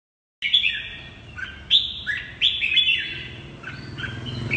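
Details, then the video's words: A red-whiskered bulbul with a fiery double-eyelid marking sings in the chattering ché style: clear whistled phrases with stepped pitch jumps, repeated several times over a low background rumble. "Chào mào mơ hai mí lửa hót ché cực hay"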